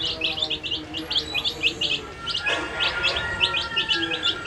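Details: Brightly dyed chicks at their food, their shrill, rising peeps tumbling over one another in a steady stream, with a brief soft rustle midway.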